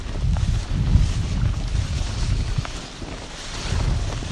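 Heavy wind rumble buffets the microphone outdoors, with a low water or boat-like drone throughout.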